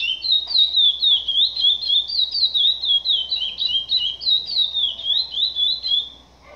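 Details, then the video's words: Captive chestnut-bellied seed finch (curió) singing the "Sinatra" song type: a continuous, rich warbling of quick whistled notes, rising and falling steadily for several seconds without pause. "CURIÓ SINATRA"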